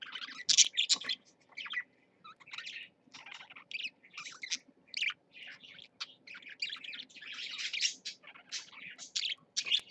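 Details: Pet parakeets, one older bird with a younger companion, caged, streamed live: dense bursts of bright chirps and scratchy warbling, fast twittering phrases broken by brief pauses, with sharper squeaky notes throughout and no other clear sounds.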